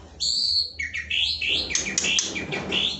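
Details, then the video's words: Training song of a white-rumped shama, murai batu, meant to get a lazy bird singing: a long high clear whistle followed by a quick series of loud sliding whistled notes over a noisy background. "LATIHAN ISAN KICAU UNTUK MURAI BATU YANG MALAS BUNYI"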